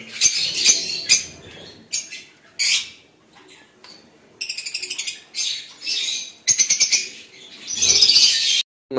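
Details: Lovebirds in captivity, in summer care and breeding setting; bursts of harsh shrill screeches alternate with rapid stuttering trills of evenly spaced notes, separated by short quiet gaps.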